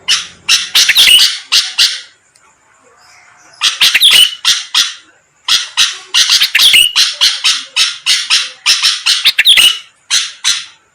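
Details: Sooty-headed bulbul singing energetically as a lure to make rival birds answer; harsh, buzzy bursts in quick runs of four to six, broken by a two-second pause, with faint thin whistles slipping through.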